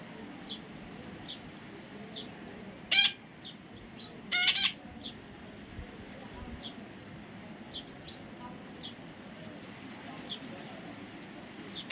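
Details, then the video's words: Baby parrot letting out two loud, grating squawks close together, amid faint scattered high chirps and low background murmur. "natural funny parrot sound"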